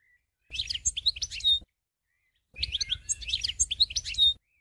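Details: European goldfinch delivering two similar bursts of liquid, high-pitched twittering with quick chirps and thin whistled notes, a pause between them.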